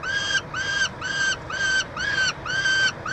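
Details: Wailing calls at a peregrine falcon nest box in Montreal, Canada, while a chick is fed, 22 June 2023: seven loud, rasping, even-pitched notes in quick succession, each slightly arched and rich in overtones, separated by brief pauses.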